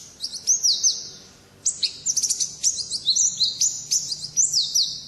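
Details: Oriental white-eye singing its 'ngalas' wild-style song: a few high chirps, a short silence, then a rush of dense shrill twittering with rapid rising and falling slurs.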